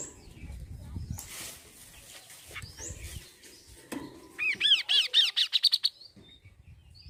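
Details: Kaso-kaso bird song used as a lure to get birds singing: after a stretch of low rustling noise comes a bright burst of roughly ten rapid, arched, ringing notes, climbing a little in pitch, lasting under two seconds.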